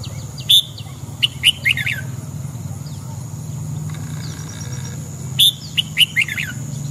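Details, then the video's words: Morning singing of a red-whiskered bulbul for voice training: two quick bursts of three or four bright, sharp whistled notes, several seconds apart, with faint high chirps and a constant low drone behind. "Luyện giọng chào mào hót sáng kích mào hót cả ngày"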